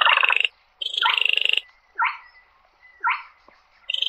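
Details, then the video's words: Slaty-breasted rail calling its flock, opening with two harsh buzzy rattles, then two clear downslurred notes a second apart before another rattle begins. "Tiếng Chim Quốc Lùn - SOB || Tiếng Chim Quốc Lùn Miễn Phí || Tiếng Chim Gõ Ghẽ Gọi Bầy"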